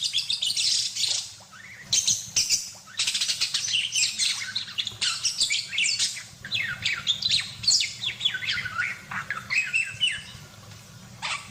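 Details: Budgerigar in energetic full chatter, used as training audio for songbirds such as magpie robins, white-rumped shamas and green leafbirds: a dense, continuous stream of high, scratchy chirps, squawks and rising whistled notes with few pauses.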